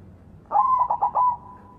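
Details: White zebra dove in full, loud song, kept as a lure to get doves that have stopped singing to sing again; one brief coo of about five quick pulsed mid-pitched notes running into a held, steady tone, over a quiet background.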